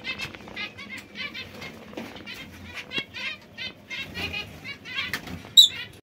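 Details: Several young white zebra finches keep up a steady chatter of short, nasal, buzzy beeps, closely spaced and overlapping, ending with one brief sharp chirp.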